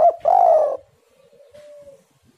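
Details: Spotted dove, recorded as lure song to set off calling in other doves: a clipped opening coo, a full, slightly buzzy coo, then a long soft even tone trailing off. Otherwise silent.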